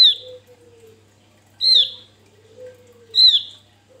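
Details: Javan grey-throated white-eye, a male in full song, played as a lure: three sharp, high falling notes about 1.6 seconds apart, separated by quiet, lower drawn-out whistles.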